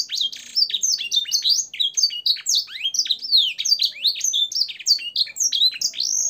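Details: Canary singing a rich training song with blackthroat and sanger style phrases: fast, continuous run of bright, high whistled slurs and rolling trills, rising and falling sweeps tumbling one after another with no pauses, clean without other sounds.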